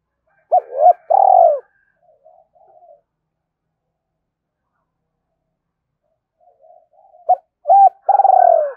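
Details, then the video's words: Spotted dove calling to challenge a rival bird: two bursts of quick hollow coos, each ending in a longer downslurred note, separated by a long near-silent gap with faint murmuring. "Chim cu gay kich boi gay goi hai hau/ cu gay kich boi nhanh noi gù"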